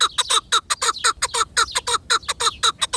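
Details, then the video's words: Chukar partridge giving a regular series of clucking notes about two per second, each note short and slightly falling, evenly spaced and clear against a quiet background. "Partridge Call | Chukar Sound"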